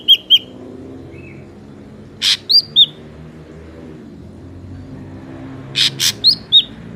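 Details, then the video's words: Wild ashy drongo, recorded as a trapping lure: quick paired whistles open, then groups of harsh rasping bursts mixed with bright downslurred whistles, separated by quiet gaps with faint low traffic hum behind. "SUARA BURUNG SRIGUNTING ABU ASLI SUARA ALAM"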